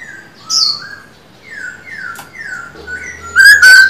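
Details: Silver-eared laughingthrush, a caged male being trained to sing: a series of quiet, gliding, falling whistles with a sharp high note, then a sudden loud, bright whistled burst at the close.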